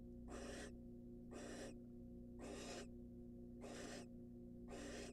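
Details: Wild barn owl in a nest box, incubating after eating a mouse, gives harsh breathy hissing bursts, five in about five seconds at a steady pace, over a constant low electrical hum.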